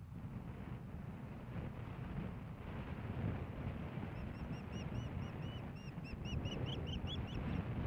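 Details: Osprey at a Hellgate Canyon nest in Missoula, Montana, 15 May 2016, during a fish delivery from the male to the female. A quickening run of piercing, upslurred whistled chirps builds over strong rumbling wind noise.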